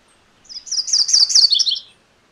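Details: A MacGillivray's warbler delivers a short, loud rolling song, about 1.4 seconds of rapid two-part chatter, sharp high syllables sliding into a lower closing run, with near-silent surroundings.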